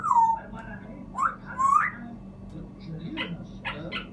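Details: African grey parrot giving clear whistled notes, the first falling from high to mid pitch, then two short rising whistles about a second apart, with softer speech-like chatter and faint clicks after.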